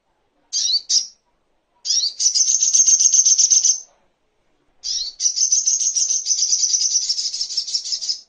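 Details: Master recording of a little spiderhunter (sogok ontong) for songbird training: two brief, high chirps, then two long, fast, shrill trills, each opening with a sharp note, separated by silence.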